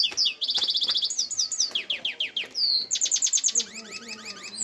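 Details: European goldfinch song, a lively stream of high liquid twitters, fast buzzy trills and sharp downslurred chirps strung together without pause, with quieter low sounds in the background.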